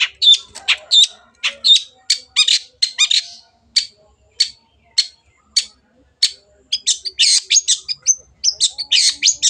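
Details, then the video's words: Long-tailed shrike singing as a lure for birds that have stopped singing: spaced sharp clicking notes at first, growing into denser scratchy chatter and buzzy phrases near the end. "CENDET GACOR PANCINGAN MENGATASI BURUNG MACET ATAU BAHAN AGAR RAJIN BUNYI"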